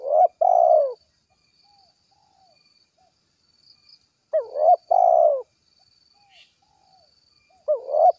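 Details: Spotted dove calling its companions: three loud cooing phrases, each a short hooked note followed by a longer, smoothly falling coo, spaced about four seconds apart, with faint high hiss in the background.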